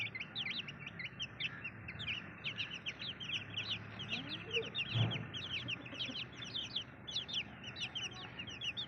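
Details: Baby chicks chirping in a thick chorus of high, falling peeps, with a soft knock near the middle.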